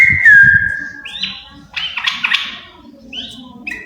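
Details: Yellow-vented bulbul pair in song: a long clear whistle dipping slightly, then short swooping notes and a burst of bubbly chatter, ending with rising whistles; low background rumble.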